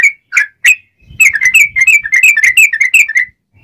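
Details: Sooty-headed bulbul song meant as a master recording and lure for catching wild birds: three separate sharp notes, then a fast dense chain of clear chirping whistles before a pause.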